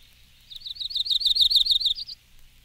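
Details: Myrtle Warbler singing a fast, loose trill of high slurred notes, around seventeen in a row over about one and a half seconds, ending on a slightly higher, sharper note.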